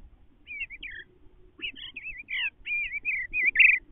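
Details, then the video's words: Mandrake, the resident male Eastern bluebird, sings soft, gurgling warbles inside the nestbox: short bursts of slurred whistles that rise and fall, repeated in quick succession over a faint low rumble. "Eastern Bluebird singing in nestbox"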